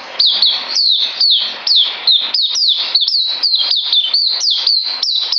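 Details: Bird song recorded 9 December 2018, a lively series of piercing whistles, each falling quickly in pitch, repeated about three times per second with slight variations in note height.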